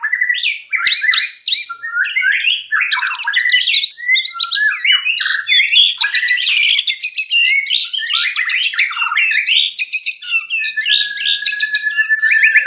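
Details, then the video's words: Caged white-rumped shama in breeding condition, used to stimulate mating readiness in other shamas: a dense, rich outpouring of loud whistled and chattering phrases, rapid varied notes sweeping up and down, almost continuous, with a thin high whistle near the end. "JEBOL BIRAHI BURUNG MURAI BATU TERBAIK !! murai kawin"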